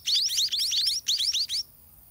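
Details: White-rumped munia chicks in a garden nest being fed by their parents: a rapid series of about a dozen thin, high, rising chirps packed closely over one and a half seconds, then quiet.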